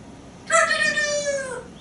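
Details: Pet African grey parrot on a porch, practicing words and sounds with its owner. It gives a drawn-out, meow-like harmonic call lasting over a second that slowly falls in pitch at the end, with a woman's voice asking it about farm animals.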